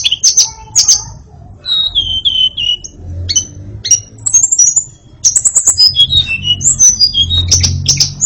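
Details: White-rumped shama singing loud sharp chips and slurred whistles that drop in pitch, then a lively run of high varied whistled notes.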